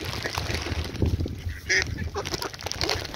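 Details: Ducks calling, with a few harsh, nasal quacks standing out around the middle over a steady low rumble and scattered background noise.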